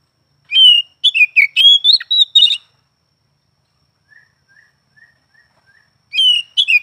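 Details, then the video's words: Oriental magpie-robin song: a loud two-second run of varied whistles and rapid notes, soft distant chirps repeated in the pause, then the song resumes. "Suara burung Kacer pagi siang malam"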